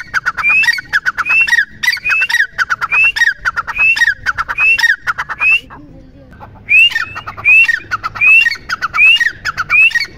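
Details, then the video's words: Grey francolin calling: loud repeated phrases, each a few short clipped notes followed by a rising whistled squeal, about every 0.7 seconds, with a brief pause midway before the series resumes. "Teetar Ki Awaaz"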